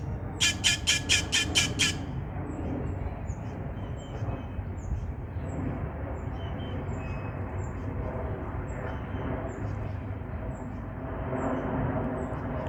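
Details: Grackle at a park in Denton making strange noises: a quick burst of about seven harsh, rasping clacks in under two seconds, then steady background hum with faint distant chirps from other birds.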